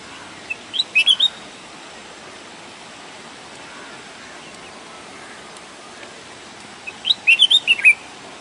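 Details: Red-whiskered bulbul recorded outdoors in nature: two short bursts of quick, bright warbled notes, one about a second in and another near the end, separated by quiet steady background hiss.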